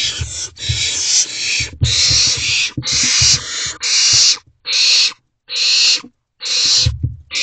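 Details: Wild owlets in a nest box at 3:21 am on May 28, 2023. Loud, harsh, breathy hissing screeches, each about half a second long, repeat roughly once per second, with low thumps and rustling in the box.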